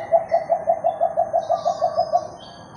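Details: Philippine coucal, one of two meeting up, recorded January 21, 2021, gives a quick run of about a dozen hollow hooting notes. They come roughly six a second at an even mid-low pitch over a faint hiss.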